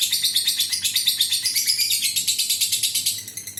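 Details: Adult fighter lovebird in long ngekek trill, used to provoke other lovebirds to trill: a fast, evenly pulsed, shrill chatter, about three notes per second, fading slightly at the end.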